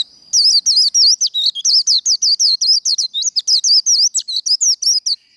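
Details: Fired-up Japanese white-eye delivering the líu fighting song: five seconds of unbroken, very fast high whistling, with short twisting slurred notes tumbling out several per second and no pauses, over a clean, quiet background.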